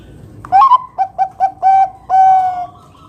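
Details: Loud, close 'kung besar' phrase from a Bangkok-type zebra dove used to prompt other doves to sing: a bright swooping opener, three short hollow coos, then a longer note and a sustained, even final coo.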